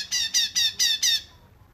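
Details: Cungkok song for tutoring kept birds: five harsh, ringing, evenly spaced notes in quick succession, then silence.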